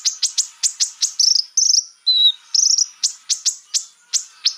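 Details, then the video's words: Konin singing, played to provoke birds into quick agitation: rapid, very high clipped chirps in pairs and triplets, broken by a few longer buzzy notes and one lower whistled note in the middle. "pancingan burung konin biar cepat emosi"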